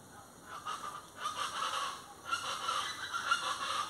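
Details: Plain chachalacas give loud, harsh, raucous calls in two bursts. The first runs from about half a second to two seconds and the second from just past two seconds to the end, with overlapping grating notes.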